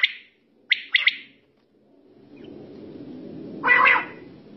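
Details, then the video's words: Quail calling at night, several together: short, sharp chirped notes, a quick pair after a single one, then a louder buzzy burst, over a low steady rumble. "Battair Sound"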